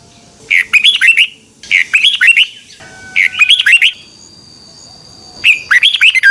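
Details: Red-whiskered bulbul practising its morning song in a double twisting voice, offered as a lure song for training: four lively phrases of looping whistled notes in quick succession, with a faint steady whine between them.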